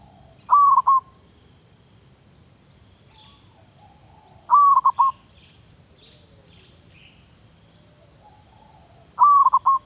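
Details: Zebra dove, kept as a decoy bird and being trained, in Thailand. It gives three brief rolling coo phrases of clipped notes, about four seconds apart. Faint high chirps from other birds and a constant thin high whine sound in the background.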